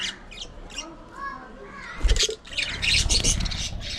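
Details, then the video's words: Pet budgerigars playing and squabbling. Soft high chirps and quiet murmuring come first, then a thump and loud, busy, scratchy chattering to the end. "Budgies Unfiltered! Love, Fights, Fun & Chatter All Day Long"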